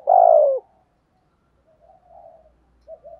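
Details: A single loud, burry coo from a spotted dove, given as a morning call to rouse rivals to fight, followed by faint soft cooing and a short low hum in the background.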